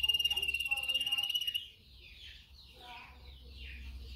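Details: Canary song for training canaries to sing: a bright, high rolling trill pulses evenly for about a second and a half, then gives way to softer, murky sounds.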